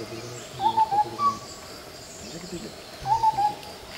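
Indian scimitar babbler giving short bursts of three or four hollow, fluty whistled notes, repeated after about two and a half seconds; faint background hum.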